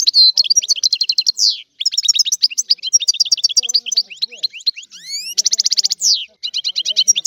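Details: European goldfinch in nearly continuous song: tumbling high chirps and rattling trills, a few rising slurred whistles, and a loud buzzy trill before the final twittering phrase.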